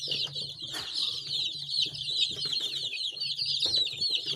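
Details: Several baby chickens peep nonstop, their high, squeaky notes overlapping into a busy twittering chorus. A soft thump comes near the start, and a low humming drone runs underneath.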